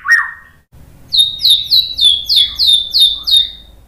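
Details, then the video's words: A white-rumped shama sings to prompt rival birds, giving a steady series of about eight sharp downslurred notes repeated roughly every quarter second after a lower opening whistle. "TEMBAKAN MURAI BATU biar NYAUT ikug GACOR BONGKAR MATERI ¦ PANCINGAN MURAI"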